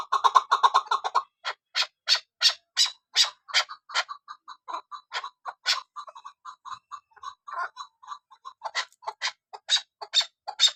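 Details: Calling female chukar partridge kept for hunting: a brief burst of fast clucking, then spaced loud, harsh notes alternating with quicker lower chuckles, irregular in rhythm.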